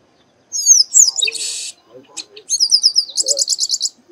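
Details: Chestnut-capped blackbird, locally called Baia de Chiqueiro or Garibaldi, singing profusely: sharp high whistled slurs, a harsh buzzy rasp, scattered clicks, then a fast run of about ten high trilled notes.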